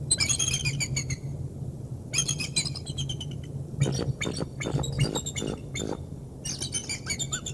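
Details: Bald eagle at the Decorah North nest, 3 March 2019, as one adult brings prey to the nest: three bursts of high, thin, harmonically rich chattering squeals, with a steady low hum and scattered clicks.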